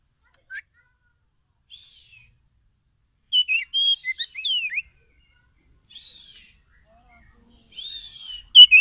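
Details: Lure song of the Oriental magpie-robin, meant to draw wild forest birds into a fast, excited response: scattered short high chirps, then a busy run of sliding whistles and trills, followed by softer phrases and a loud final note.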